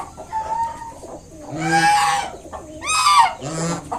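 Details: Kept mother swan with five newly hatched cygnets, honking to drive an approaching person away from her young; a few nasal, harmonic honks near the end, with faint thin higher notes in between.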